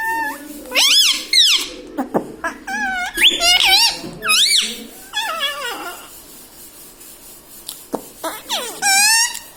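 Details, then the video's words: Pet ringneck parrot talking indoors, mummy papa and radhe radhe: a long sequence of shrill, wavering spoken-like syllables in quick bursts, pausing around six to eight seconds, then a final high phrase. "talking parrot mummy papa"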